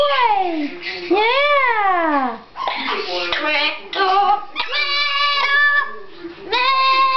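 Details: Captive pet blue-fronted amazon singing, voice rich in harmonics with long sliding notes that rise and fall, some tones held steady, sounding almost human; indoor setting, no other clear sounds.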